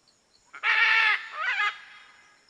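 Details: Red-and-green macaw calling: a long harsh squawk runs straight into a shorter, wavering, rising-then-falling screech.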